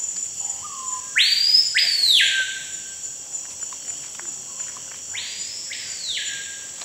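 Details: Two loud whistled phrases of a screaming piha, Amazon forest near Manaus, Amazonas, Brazil, each leaping sharply upward then falling away, about four seconds apart, over a steady shrill insect hum and faint bird chirps.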